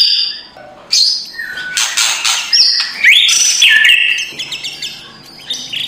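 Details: White-rumped shama in raucous kretekan song, a morning provocation track: harsh chattering bursts, sweeping whistled slurs rising and falling, then softer scattered notes toward the end.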